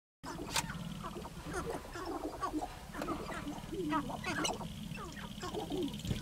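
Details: Male sharp-tailed grouse dancing on a lek to attract mates call over each other in quick, clucking chatter with low cooing hoots, while a steady low hum runs underneath.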